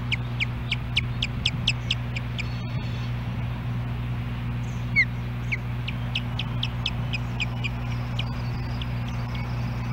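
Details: Osprey at a Hellgate Canyon nest in Missoula, Montana, July 14, 2016, female calling for her mate: rapid strings of short high chirping whistles, about five per second, pausing briefly, with one louder slurred note, over a constant low hum.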